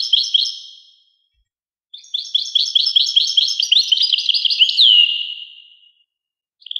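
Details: Carduelis carduelis song: a short twitter, a pause, then a long liquid phrase of rapid, ringing high chirps and trills ending in a falling slurred whistle, with a new phrase starting at the end.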